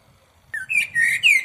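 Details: Common blackbird song: a short sequence of clear whistled phrases, a brief downslurred note followed by warbled, rising and falling fluting notes over about one second, with faint low background rumble.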